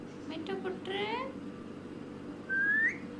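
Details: A parrot talking indoors, a short speech-like burst of wavering voiced syllables, followed after a pause by a single clear rising whistle.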